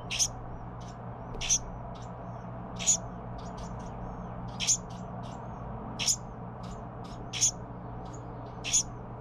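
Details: Baby Carolina wren receiving food from its parents, giving seven loud raspy high notes about every 1.3 seconds, with fainter, shorter chips scattered between them and a constant low hum behind.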